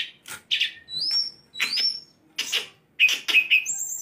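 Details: A kept, tame sulingan gunung gives short bursts of buzzy chirps mixed with rising whistled slurs, ending in a high clear whistle.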